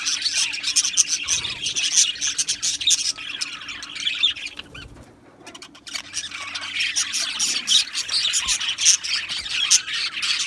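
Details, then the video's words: Many budgerigars in an aviary colony chirping and chattering in a dense high chorus, which briefly drops quieter midway before the busy squeaky chatter resumes. "Beautiful Australian Budgie birds Chirping Sounds"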